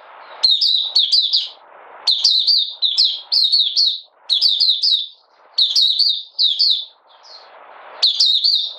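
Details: Malaysian Oriental white-eye kept as a hobby songbird, out of form and in minor moult, recorded 31 July 2023: bursts of quick, bright, slurred chirping notes in rapid runs, separated by short pauses over faint background hiss.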